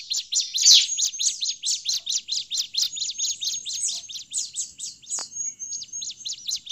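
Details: Bar-winged prinia calling excitedly, a sound used as a forest lure: a long regular series of high chirps, roughly four per second, with one loud burst early on and a faint steady tone late.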